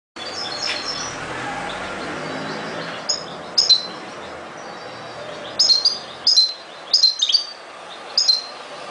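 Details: European goldfinch singing: short bright chirps and twittered notes high in pitch, scattered in small bursts after a quieter, noisy opening, with background hiss throughout.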